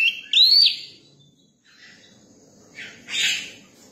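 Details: Newly caught Oriental magpie-robin in a cage, being tamed to people, gives a single rising whistled note, followed after a pause by harsh, hissing raspy bursts.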